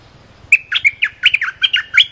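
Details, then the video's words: Cream-vented bulbul training song for young birds: a dense, fast chatter of about ten slurred, squeaky notes in one and a half seconds, bright and high, with little background. "เสียงนกดอกแตงEp.173 เพลงหัดลูกเสอ/ลูกใบ้ เพลงสั้นๆน่าฟัง Suara pikat merbah lekir gacor"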